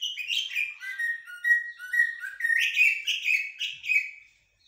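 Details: Shahrour (common blackbird) song in haddadia and military styles: a run of fluty notes dipping lower midway, then rising chattering repeats that fade out near the end.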